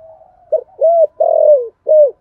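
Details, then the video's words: Spotted dove calling in 'giọng thổ' style as a lure for wild doves: a faint lead-in hum, a short coo, a clear coo, a long falling drawn note, and a final rounded coo, all soft and low. "cu gáy giọng thổ gáy gọi"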